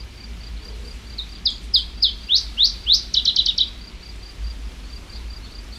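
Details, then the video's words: Iberian chiffchaff song played back for comparison with the common chiffchaff: a faint thin note repeated, then a run of sharp descending chip notes quickening into a rapid trill-like chi-chi-chi burst, then soft high notes again. "es el sonido del mosquitero ibérico y ahora vamos a escuchar el mosquitero común."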